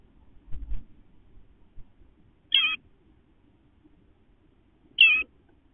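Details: Eastern bluebird calling between parents and fledglings leaving the nest box: two brief, quavering high notes about two and a half seconds apart, with a faint low bump before them.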